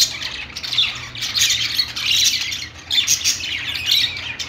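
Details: A busy flock of budgerigars in a pet store chatters: bursts of scratchy, high warbles and squawks overlap and come in waves about every second, with a low hum underneath.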